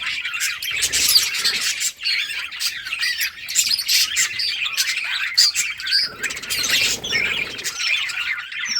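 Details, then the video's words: Colourful budgerigars in a summer breeding setup, playing: constant warbled chatter from a flock, mixing trilled chirps, clicks and squawks, with occasional sharp high peeps. "budgies beautiful colors playing and chirping"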